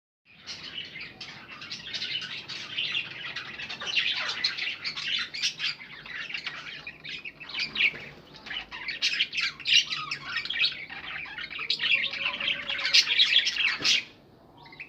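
Several budgerigars chirp and chatter continuously in a busy, high-pitched warble.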